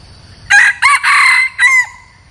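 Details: Decoy red junglefowl, used to attract wild junglefowl, gives a single loud crow in four syllables, brief, brief, long and raspy, then a falling drawn-out ending, after a second of faint background hiss.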